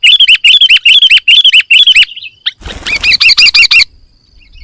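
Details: Sooty-headed bulbul in full 'isian' song to make birds sing: bursts of quick bright chirps repeated in tight groups for two seconds, a short pause, then another rapid chirping burst.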